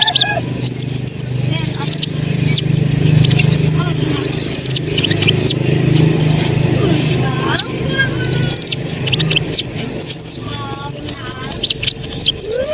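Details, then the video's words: Lively Asian pied starling delivering a long varied song to provoke other birds: chattering clicks, squeaky whistles and slurred notes, plus a fast high trill near the end, over a loud low engine-like hum. "konin gacor bikin bahan terangsang ikut bunyi"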